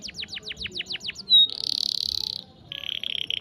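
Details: Canary song meant to teach young canaries to sing: a run of quick descending notes, a brief pure whistle, a buzzy rattling trill, then a lower fast trill.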